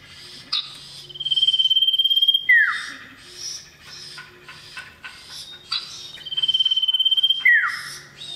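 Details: Male common iora calling a female: a sustained high whistle ending in a steep falling slur, given twice about five seconds apart, with soft chattering notes between them.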